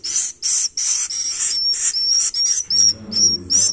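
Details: Swiftlet nestlings begging: harsh, hissy bursts alternate with thin, very high whistled notes, about two or three per second, over a faint low hum in the second half.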